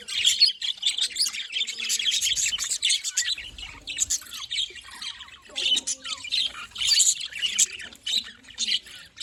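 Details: Budgerigars chirping and squawking together, a dense chatter of quick raspy notes and thin whistles, including a short descending whistle, fading and rising in waves.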